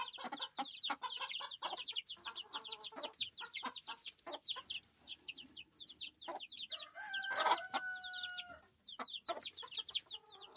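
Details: Chickens on a farm clucking in a dense, overlapping chorus of short, sharp notes, with one louder drawn-out squawk with steady tones near the middle before the clucking resumes.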